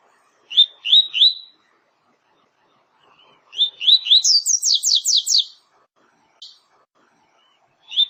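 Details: Double-collared seedeater singing pure 'tui tui' style song: clear, bright slurred notes in groups of three, then a fast run of about six high, descending whistled sweeps, with short pauses between phrases and a quiet background.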